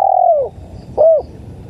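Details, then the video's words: Spotted dove (tekukur) lure recording: a sustained mellow coo sliding downward, then one short rounded note, over a low hum. "MP3 SUARA TEKUKUR"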